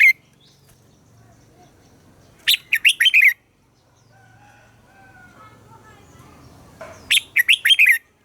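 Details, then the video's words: Red-whiskered bulbul singing competitive morning song in the 'già rừng' double-note style, used as a lure to spur captive bulbuls. Two rapid phrases of five or six ringing, slurred whistles about four seconds apart. "Luyện giọng cho chào mào hót sáng - ép chào mào hót âm kép già rừng hay tuyệt!"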